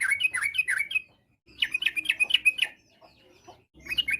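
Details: Yellow-vented bulbul in lively full song, said to make other bulbuls answer at once; three bursts of quick bubbly warbled phrases, bright and rich, separated by short pauses, with repeated rising-falling notes in each burst.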